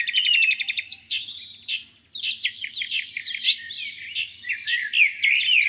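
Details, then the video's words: A chorus of birds at a lake on a spring morning, with rapid high trills, whistled glides, and jumbled chattering notes repeated quickly, backed by a faint low rumble. "Singing birds, beautiful lake view on a spring morning."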